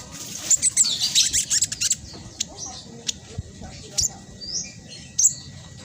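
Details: Speckled black sunbird in a fast, tightly packed chattering song meant to coax silent birds into singing; a dense burst of very high twittering in the first two seconds, then scattered sharp squeaks.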